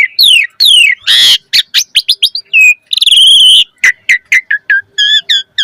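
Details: Asian pied starling in full chattering song packed with varied phrases, used as a lure to get other starlings singing: loud clear whistles, sharp rising and falling notes, harsh buzzy bursts and quick repeated chirps in rapid succession.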